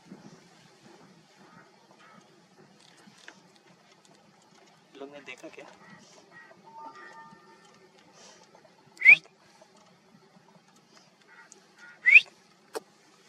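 Trumpeter finch giving two short, bright, rising calls about three seconds apart, over a quiet background with faint murmuring and scattered soft sounds.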